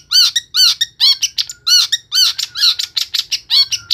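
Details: Long-tailed shrike (cendet) in Pemalang, Central Java, singing harsh, squawky, bent notes with shorter chips between them, about two to three a second, in a loud, steady run with no other sounds.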